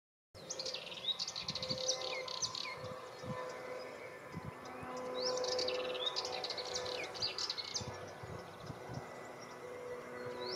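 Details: A Sardinian warbler (Curruca melanocephala) sings fast, scratchy, chattering phrases of rapid high notes in bursts, over a steady low hum and background noise.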